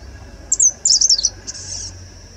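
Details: Grey-sided bush warbler singing late in the season, in mid October, in India: a very high, thin, sibilant phrase of quick zipping notes lasting about a second, over a steady high insect-like hiss.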